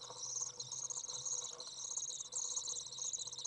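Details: Common Swift young out of the nest, recorded 27 June 2011 on a hot day of 30 °C while a parent comes to feed them; a continuous shrill chittering with brief dips, over a low background drone.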